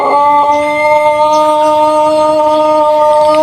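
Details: A Pelung chicken, the long-crowing ornamental breed from Cianjur, West Java, Indonesia, holds a steady, flat, harmonic note for over three seconds. The tone barely shifts in pitch, and faint chirps sound behind it.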